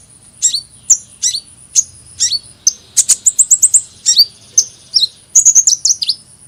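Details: Sharp, squeaky down-slurred chips from a hummingbird, spaced about every half second, briefly speeding into a quick run of ticking notes before slowing again.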